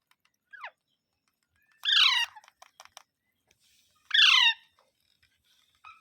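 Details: Parrot making two loud, grating squawks about two seconds apart, each falling steeply in pitch, with a short thin downward note before them and faint clicks between calls.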